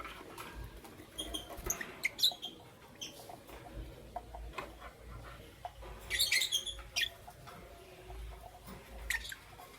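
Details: Lovebirds, Parblue Euwing Green Opaline and Green Opaline colour varieties, in the morning: sharp, high chirps, a few near two seconds, then a dense burst around six to seven seconds and one late chirp, over clicks and a low indoor hum.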